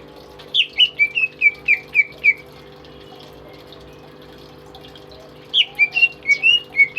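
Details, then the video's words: Tame pet greater green leafbird in active song, used as a master bird for others: a burst of about seven falling whistled notes, then three seconds of silence, then another fast series of clear slurred whistles. "BURUNG CUCAK IJO gacor"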